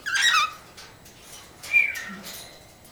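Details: Three cockatiels indoors giving two whistled calls, the first a warbling, rough burst, the second about 1.5 seconds later sliding downward, over a low room hum.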